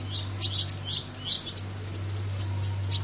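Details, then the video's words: Sunbird song meant as a trapping lure, with short clusters of sharp, high-pitched tweets about half a second apart, then a fainter note near the end, all above a constant low hum. "tiếng chim hút mật"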